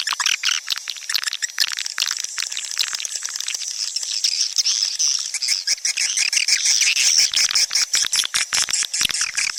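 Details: Swiftlets calling, a sound played to attract them to nesting houses: dense, overlapping high chirps and twitters in rapid bursts, many per second, forming a continuous chattering chorus throughout.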